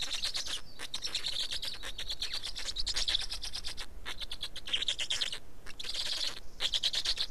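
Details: At an Estonian black stork nest during a feeding on 19 May 2019, 15:43, rough buzzy pulsed calls run almost without pause, broken by brief silent gaps, with a constant low rumble beneath.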